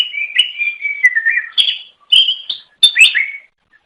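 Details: Greater green leafbird singing to draw in other birds of its kind: a continuous, sweet, warbling whistle that wavers and drops, then several higher, bright whistled phrases.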